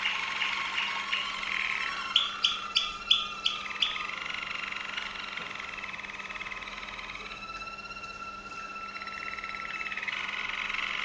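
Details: Waterslager Malinois canary from Veliko Gradiste, Serbia, delivering a burst of about six rapid clicking knocks, then long rolling water-like trills that dip lower and rise again, under a faint steady low hum.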